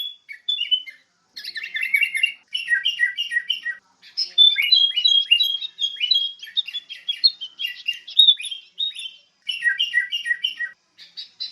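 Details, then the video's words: Sooty-headed bulbul chattering almost continuously: rapid bubbly runs of tumbling chirps and whistles, broken by brief pauses, lasting over ten seconds. "SUARA BURUNG KUTILANG"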